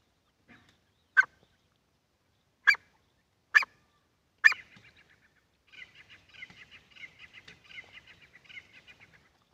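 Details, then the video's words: Wild and hunter's partridge calls, male and female: four loud, harsh single notes spaced about a second apart, followed by a fainter run of rapid, scratchy chattering notes. "Jangali Titar ki awaz and shekare titar ki awaz and female ki awaz"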